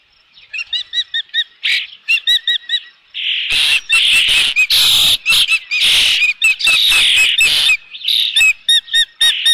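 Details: Osprey at its nest at Dunrovin Ranch with a fish, 3 June 2018, around 5 PM: a run of short, sharp whistled chirps, then loud, harsh, drawn-out squealing calls that overlap and crowd together.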